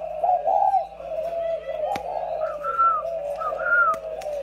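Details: A pair of caged decoy spotted doves give a soft, throaty coo, then a sustained low tone, while clear higher whistled notes sound twice in the second half.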